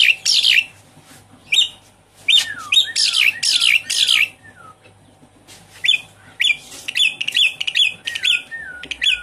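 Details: Javan pied starling song used as a lure to prompt a silent caged bird to sing: bursts of harsh chattering notes mixed with clear whistles sliding downward, delivered in irregular clusters with short pauses between phrases.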